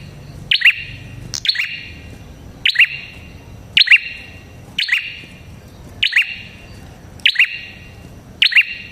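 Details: Red-headed prinia calling, a sound used to lure prinias: a loud, sharp high note with a downward-bending tail, repeated about once every 1.2 seconds, eight times, over faint background hum.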